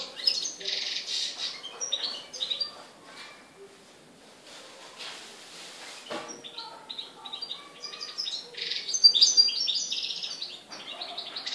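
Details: European goldfinch in Morocco, 4 December 2013, singing a fast, tinkling run of high twitters, trills and liquid notes, with short pauses between bursts.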